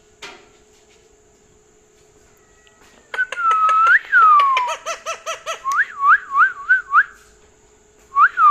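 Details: Pet parrot at night, not wanting to sleep and asking for churi; whistled, warbling vocal phrases with rising and falling tones, then repeated looping whistles, quiet indoor room with steady background hum.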